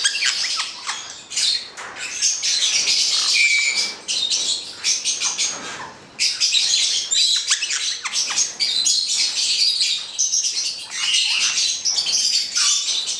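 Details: Two black-headed parrots (Caique melanocephala) squawking and chattering noisily, rasping bursts run almost without pause, one short pure whistled note at about three seconds, a quieter gap near six seconds.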